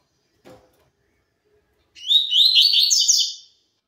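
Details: Double-collared seedeater, tui tui zel zel song style, delivering one quick phrase of bright chattering, slurred whistles that lasts about one and a half seconds and follows a faint low tap. No other sounds.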